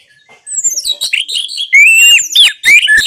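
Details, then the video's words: Orange-headed thrush singing, played to coax silent birds into song. Thin descending whistles give way to loud, rich, slurred whistled phrases, with bright rising notes and rapid chatter toward the end. "Terapi Anis Merah Bisu | AM Macet Jadi Gacor Coba Di Putarkan Suara AM Ini"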